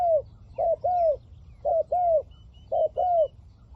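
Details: Spotted dove kept as a trapping decoy to attract wild doves, calling in soft low pairs: a clipped first coo and a longer descending second, three pairs in quick succession, with faint high bird chirps in the background.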